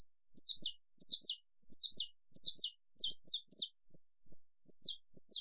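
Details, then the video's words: A saffron finch, a wild Brazilian bird often found in large flocks and even in cities, sings a long "estalo" song: sharp, clicking, high chips in quick doublets and triplets, about two phrases a second. "CANÁRIO-DA-TERRA CANTO ESTALO LONGO"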